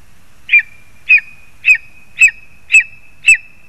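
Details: Lesser spotted eagles at a spruce nest in Zemgale, Latvia, while a frog is brought for the young: six sharp, yelping high calls, evenly spaced about every half second, over a steady faint whistling tone and a quiet background.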